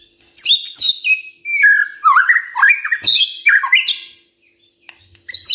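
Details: Morning provocation song of a white-rumped shama: loud, rich sequence of downward-sliding whistles and quick warbled notes, pausing near the end before another phrase begins.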